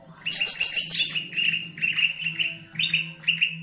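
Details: Green leafbird fanning its tail: a harsh high buzz opens, then crisp whistled notes repeat in quick clusters about every half second, steady in pitch, with a low hum behind.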